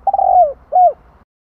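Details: Spotted dove calling to lure other doves: a stuttering run of soft coos flows into a long, falling note, then one more arched, falling coo, all mid-pitched and clear.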